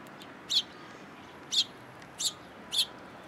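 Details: Sparrows visiting a post for food at a Tenmangu shrine on 22 October 2022: four clear, clipped high chirps at uneven intervals against a quiet background.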